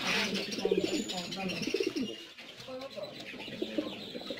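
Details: Black Shiraji (Lahore) pigeons kept in cages at home: low throaty coos in two bursts of rapid pulsing notes, with softer cooing from other birds and faint chirps behind.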